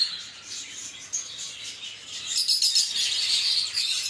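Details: Lovebirds chirping: soft high twittering at first, then louder, rapid, buzzy chirps crowding together in the second half, around four notes per second.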